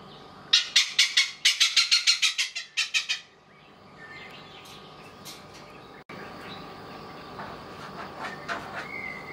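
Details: A male Oriental pied hornbill foraging in the morning at a resort in Kaeng Krachan, Thailand, gives a loud burst of about a dozen harsh, cackling notes, then fades; softer bird chatter and background hum follow.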